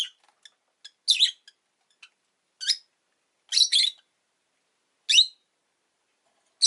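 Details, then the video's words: Pet rosy-faced lovebird (Agapornis roseicollis) giving harsh, high, shrill chirps in short bursts about every one to two seconds, with faint ticks between; town noise such as car and motorbike engines may be present. "Lovebird Chirping Sounds"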